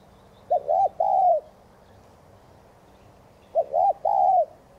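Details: Two deep cooing phrases of a spotted dove, used to stir other doves into cooing. Each phrase is a brief hiccup, a rounded second note and a longer gliding croon, separated by about three seconds of quiet with a faint low hum.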